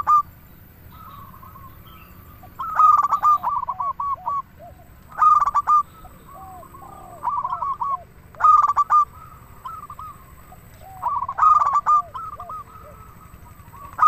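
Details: Local zebra dove singing steadily to stimulate other doves: five rapid, stuttering coo phrases about every two and a half seconds, each trailing into quieter, lower cooing notes.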